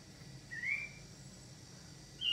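A crested lark gives two clear whistled notes: a rising slur near the start and a higher, brighter note about 1.5 seconds later, over a faint low hum.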